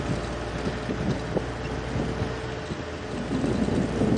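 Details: Only wind buffeting the microphone and the low rumble of an engine are heard, with no animal calls.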